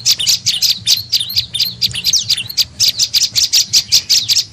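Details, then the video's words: Tailorbird (prenjak lumut) lure call used to attract birds: rapid high chattering chirps, sharp notes tumbling one after another with a few short sweeping notes, loud and continuous throughout. "SUARA PIKAT BURUNG PRENJAK LUMUT PALING AMPUH"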